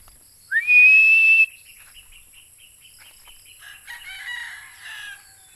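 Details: Philippine eagle calls with one long high whistle that climbs and then holds steady. Softer chirping notes and a clucking, fowl-like sound follow in the background.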